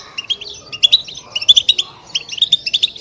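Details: Natural twittering of a European goldfinch, meant to rouse other goldfinches to sing: quick bursts of bright, liquid chirps and short trills in rapid groups with brief gaps between them.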